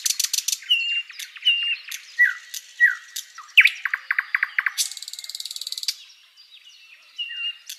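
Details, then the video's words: Tutor-recording song of a flycatcher, varied and chattering: short whistled slurs, a quick run of rapid ticking notes, and a long harsh buzzy burst before softer chirps return. "SIKATAN LONDO || MASTERAN BURUNG"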